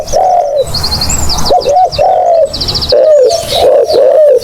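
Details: Spotted dove cooing loudly for luring, soft hollow drawn coos and short double notes run close together, with rapid high-pitched chirps and twitters from other birds in the background.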